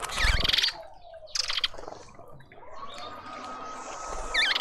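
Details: Several mousebirds at a garden feeder in suburban Pretoria, South Africa, give brief squeaky, wavy notes at the opening and the close, mixed with loud rattling, scraping bursts and a thin constant background tone.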